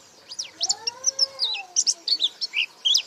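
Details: Short burst of 'gacor buka paruh' white-eye song: quick, high, twittering notes with twisting slurs, over a lower, smooth tonal sound that rises and falls in the background.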